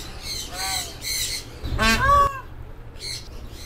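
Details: A female Indian peafowl calling on a farm where the birds roost on roofs and walls; loud, harsh, nasal squawking notes in several short bursts, with a man speaking faintly nearby.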